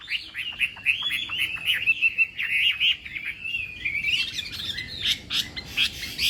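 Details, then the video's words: Chinese hwamei singing in a contest, morning voice training: fast, buzzy warbling run of varied notes, continuous and somewhat blurred, with sharper high notes in the final seconds. "Hoạ Mi Hót Đấu /hoạ mi hót sáng luyện giọng"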